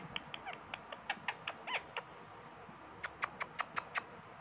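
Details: Pet talking Indian ringneck (rose-ringed parakeet, Psittacula krameri), apparently angry at another parrot, gives short, harsh squawks and chattering notes, then a fast run of six sharp, evenly spaced screeches near the end.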